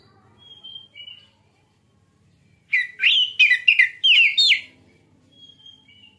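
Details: Kacer, the magpie-robin, singing as a lure to provoke other birds into song: soft thin whistles lead into a two-second burst of fast chattering, slurred notes, then faint whistles again.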